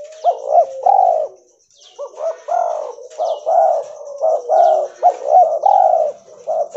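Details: Albino spotted dove, a white mutant, cooing in quick succession: short hooked notes and longer mellow coos run together almost without pause after a brief gap, over a faint high steady whine.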